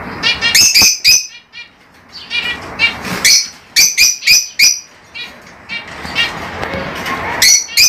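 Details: Lovebird chatter: bursts of shrill, harmonic chirps come in quick clusters, with short quiet spells between groups.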